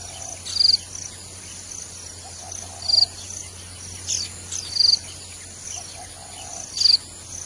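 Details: Thin, high chips from a wild white-eye at its nest feeding its young, in short bursts about every two seconds, with faint softer chirps between and a low steady hum behind.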